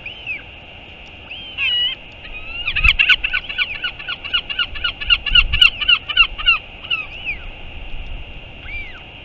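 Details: A Northern royal albatross recorded on 4 June 2022 gives a rapid run of nasal, goose-like calls, about three or four per second, framed by a few rising whistled notes, over low wind rumble.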